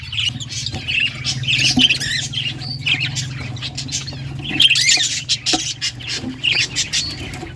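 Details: Australian budgies in a breeding colony cage at home; a busy mix of scratchy warbles and short squawks from several birds above a steady low hum.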